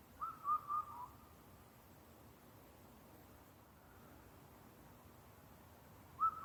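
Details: Indian cuckoo, a rare visitor, calling at Karuizawa in Japan: one phrase of four whistled notes, the first rising and the rest falling slightly, then quiet until a single note starts the next phrase about five seconds later.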